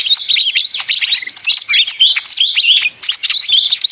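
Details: Leafbird, called ijo mini (daun), singing a busy, noisy song: dense, rapid high chirps, whistled slurs and sweeping notes tumbling together without pause.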